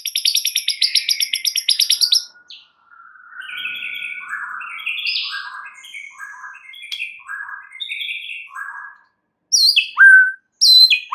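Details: White-rumped shama lure song for provoking other birds: a fast high trill, then soft, scratchy warbled phrases, ending with loud, sharp downslurred whistles.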